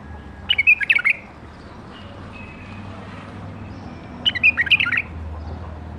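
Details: Captive-bred bulbul from the 2018 season, kept caged, giving two short bubbly warbled phrases about four seconds apart, quick liquid notes jumping up and down, with a low steady hum beneath.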